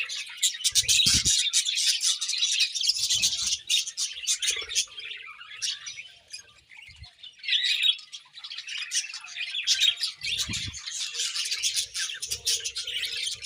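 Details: Morning feeding time for pet budgerigars brings a continuous high, chattering chorus of twittering chirps and squeaky warbles from several birds. A few dull bumps can be heard in the background.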